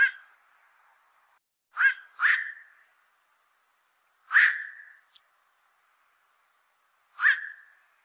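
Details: Repeated guttural 'quok' calls of a black-crowned night heron, a heavy fish eater bothering fishpond owners: an opening croak, a close pair, then two more spaced croaks, plus a faint brief click.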